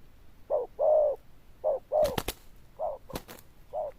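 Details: Zebra dove, praised for its loud bell-toned voice, cooing in short and drawn-out notes at an uneven pace, broken by several sharp knocking bangs.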